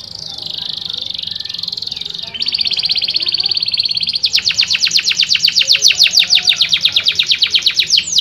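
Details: Canary singing aimed at getting lazy canaries to sing: a soft buzzy trill, then a faster fine trill, swelling into a loud, evenly pulsed trill of rapid notes.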